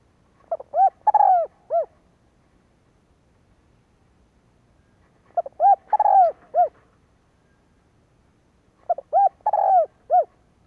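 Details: Spotted dove call used to stimulate decoy birds. Three similar phrases of mellow, low coos come about four seconds apart. Each has quick short notes around a longer rolling coo. No other sounds are heard.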